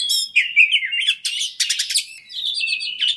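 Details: Lure song of a fighter-type Oriental magpie-robin, used to make others sing fast: full sweet whistles, a burst of grating rattles in the middle, and a closing string of sustained high warbled notes.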